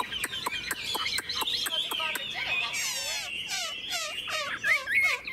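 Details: Caged Chinese hwamei singing in the morning sun: a row of quick sharp ticks leads into repeated, buzzy, downward-sweeping whistled phrases.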